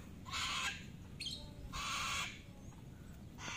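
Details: Free-living sulphur-crested cockatoo pair, male and female, at play around houses in a residential complex; two raucous, grating squawks, each about half a second long, roughly a second apart, then a third starting at the end.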